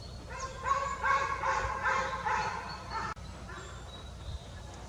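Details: Forest recording of a young jay out of the nest giving a rapid series of hoarse, nasal calls for about three seconds, then quiet with a faint high bird whistle.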